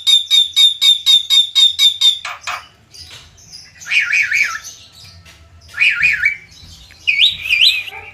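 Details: Jalak kebo, or Javan myna, in konslet gacor style: a fast, even string of sharp repeated notes, then scratchy sounds and several separate loud, wavering whistled phrases divided by short pauses.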